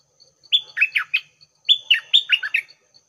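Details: Decoy Red-whiskered bulbul singing at 6 am: two quick phrases of bright, bubbling chirps sliding up and down, with faint regular ticking in the background.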